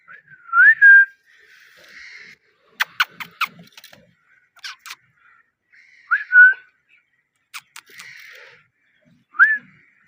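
A parrot gives three loud rising whistles several seconds apart, with sharp clicks and soft buzzy chatter in between.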